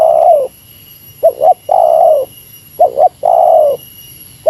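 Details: Meratus-style cooing of a spotted dove lured against a rival, long mellow coos alternating with quick paired notes, about three phrases, a steady faint high whine behind.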